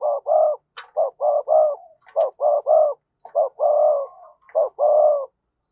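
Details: Decoy spotted dove calling: rounded, hollow coos delivered in short groups of two to three, with one longer drawn-out note and brief pauses between groups, about fifty notes a minute; quiet background.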